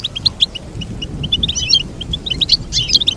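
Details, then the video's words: Rapid tinkling goldfinch twitter, clipped high chirps coming in a steady patter and rising into a denser, jingling cluster of notes near the end. "Teach your goldfinch to sing beautiful motivational songs"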